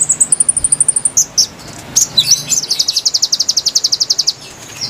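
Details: Lure recording of konin song meant to attract wild birds: very high thin notes in a quick even series, broken by a few squeaky chirps, then a long fast trill of sharp repeated notes.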